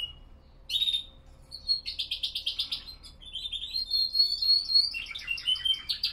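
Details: Classic Spanish Timbrado canary song at 07:46 on a 5°C, 87% humidity morning. After a quiet pause comes a sharp burst, then fast chopped metallic trills, a rising whistled glide and clipped bell-like notes.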